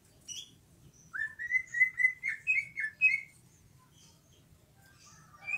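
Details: Greater green leafbird in full song: a run of about nine clear whistled notes near one pitch, each slightly slurred, given quickly over two seconds, with a short high note before and a rising note at the end; faint low hum beneath.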